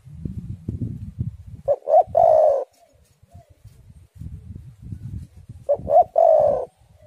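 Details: Spotted dove cooing, used to lure doves and prompt them to sing: two low, mellow coo phrases of a few short notes ending in a longer hollow coo, separated by low rumbling and knocking background noise.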